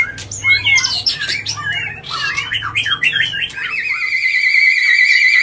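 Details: White-rumped shama in agitated, non-stop song used as a lure to provoke other birds: a dense, hurried run of varied whistles, slurred notes and harsh squawky bits, ending in a long, steady, trilling whistle.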